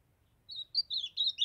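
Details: Young ultramarine grosbeak from Brazil's Northeast, kept since its brown plumage, starts a warbled phrase of several drawn, slurred notes over faint low background rumble.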